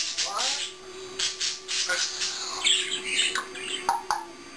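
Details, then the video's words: Pet African grey parrot talking and chattering indoors when its owner leaves: bright clicks, chirps and squeaky whistled notes mixed with garbled speech-like sounds. "The African Grey Parrot Burps and Talks"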